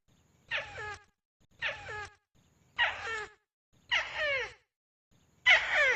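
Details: Tikusan lure sound collected from different sources: five scratchy, grating bursts with downward-curving streaks, roughly one second apart, the last one loudest, over a faint low hum.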